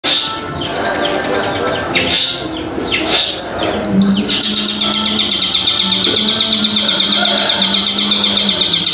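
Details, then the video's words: Long-tailed shrike song used to prompt silent captive shrikes to sing: arched, sweeping high notes, then a fast buzzy high trill repeating about four times a second, over a steady low hum. "PANCINGAN CENDET MACET BUNYI SEKETIKA LANGSUNG NYAUT DAN BONGKAR"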